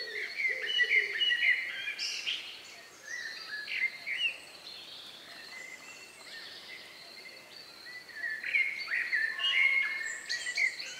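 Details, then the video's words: Last birds singing in the countryside just before nightfall, recorded May 2, 2020, near 9 p.m.; loud bursts of rapid, varied twittering phrases with sharp whistled notes, a quieter gap in the middle, then another lively phrase. "relax sound of bird in the evening"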